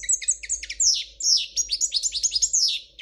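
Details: European goldfinch of Spanish royal type sings a clean, flawless song: rapid, very high twittering with sliding notes and bright liquid trills in quick succession, a low background hum beneath.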